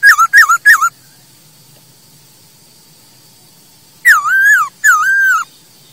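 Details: Masked laughingthrush, played as a tutor song for caged birds: three quick wavering whistled notes, a pause of about three seconds, then two longer warbling whistles that dip and level out.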